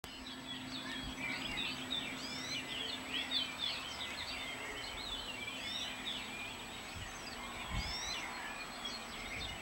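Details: A wild Atlantic canary (Serinus canaria) on Gran Canaria gives a dense, fast run of high twittering, trilled and warbled notes, possibly several birds at once, over a low steady hum.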